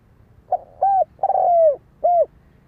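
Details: Spotted dove calling: a soft short note, then a clear mellow coo, a longer rough coo sliding downward, and a final clean coo, each low and hollow, with quiet pauses between.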